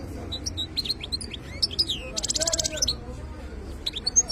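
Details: European goldfinch, khlawi song style: sparse high chirps and slurred whistles around a brief buzzy trill near the middle, with a faint low background hum.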